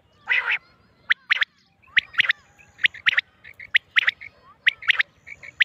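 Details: Female quail voice recorded for hunting use in Mianwali: one harsh rasping burst, then a steady run of short, bright, paired and tripled chips at irregular intervals.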